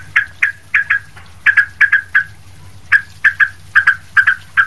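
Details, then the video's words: Sooty-headed bulbul singing busily as a model for training other bulbuls: clipped, bubbly mid-pitched notes in quick pairs and triplets, about twenty over a few seconds, with brief pauses and a faint low hum behind. "trucuk ribut gacor buat masteran trucuk lain"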